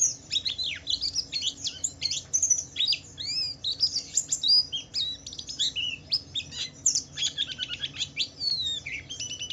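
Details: Javan white-eye song to coax other white-eyes into singing: varied, busy high twittering with rising and falling slurred notes and whistles, delivered in a continuous tangle.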